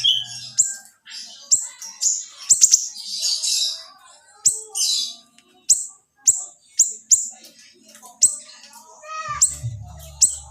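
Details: Small siri-siri used as a master track for songbirds, repeating crisp, very high whistled shots at short intervals, with a brief hissy burst early on and a low hum near the end.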